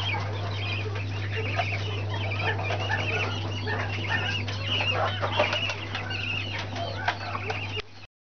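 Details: Several Brahma chicks chirp almost continuously, their quick high peeps overlapping throughout, with rustling and fluttering beneath and a constant low hum until it cuts off near the end.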